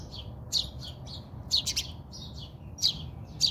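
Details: In a South African backyard, house sparrows locked in a fight utter bright, shrill chirps, some doubled, interleaved with softer twitters over a faint low hum.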